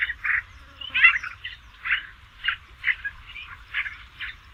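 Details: Song of a Basra reed warbler, for use in training songbirds: rhythmic grating, croaking syllables delivered roughly twice per second, fairly steady and loud against a quiet low background.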